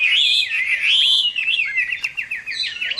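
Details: Chinese hwamei singing a fighting song at summer midday: loud, rich whistled phrases sliding up and down, then a fast run of repeated slurred notes near the end.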